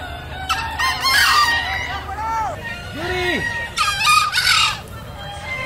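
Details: Several green junglefowl at a crowing competition in Bangkalan, Madura, on 24 October 2021 give short, hoarse, squawky crows that overlap one another, mixed with people talking, clapping and a busy crowd.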